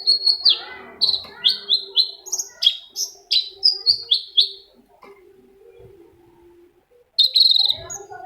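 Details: Long-tailed shrike lure song meant to make another shrike sing: a fast string of chirpy, falling notes for about four seconds, a gap of near silence, then a loud scratchy outburst resumes.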